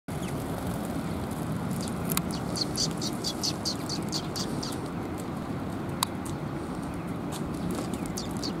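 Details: Several sparrows arriving at a feeding platform to be fed, recorded 7 June 2021; a burst of short, high chirps in quick succession over a steady low hum of background noise.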